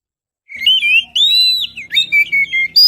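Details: Oriental magpie-robin lure song for attracting birds, recorded on a GoPro Hero: after half a second of silence, loud sweet whistled phrases slide and warble between mid and high pitch, with brief pauses between notes.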